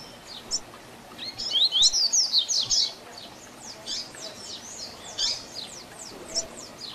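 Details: Double-collared seedeater tui tui zel zel style song for tutoring young birds: a loud burst of rapid, high slurred whistles, then a long series of fainter, evenly spaced down-slurred notes.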